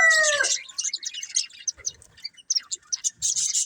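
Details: Budgerigars of a breeding pair: a short harmonic squawk opens, followed by sparse high chirps and clicks, and a final burst of rapid scratchy twittering.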